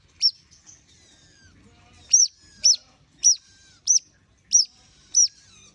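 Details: Long-tailed shrike warming up: a single sharp, high, hooked note repeated about seven times at irregular intervals of roughly half a second to a second, with a quiet background.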